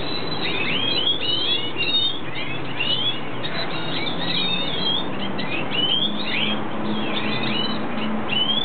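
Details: Breeding-season red siskin, the Venezuelan cardenalito, with dense, rapid high twitters and chirps in clustered bursts, nearly continuous, above a low steady hum.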